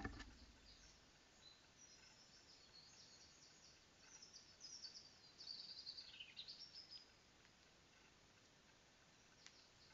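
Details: Wild birds singing outdoors, picked up by an outdoor camera: a high, thin warbling phrase with quick trilled notes and a falling slur rises out of steady background hiss midway, then fades back to faint noise.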